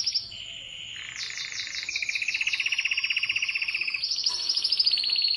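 A canary sings a fast, continuous song of rolling trills and high chattering phrases. The tone shifts pitch every second or so.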